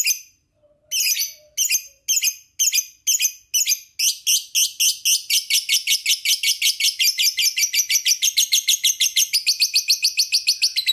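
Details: Lovebird sound used as a lure to make another lovebird sing; a fast series of high, harsh chattering notes, first in spaced bursts, then running together in a steady rapid trill of repeated sharp chirps.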